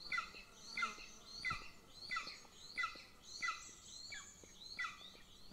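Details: At a Golden Eagle nest in Northern Estonia, filmed by nest camera, the small chick begs as the mother feeds the older sibling: sharp descending squeaky notes repeated roughly every 0.7 seconds in a steady series.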